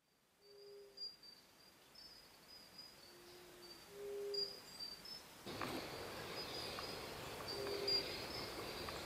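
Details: Ruddy quail-dove at its nest with chicks in Corupá, Santa Catarina, Brazil: short, low, hollow moaning coos a few seconds apart against a thin, steady high insect whine; a broad rush of noise fills the second half.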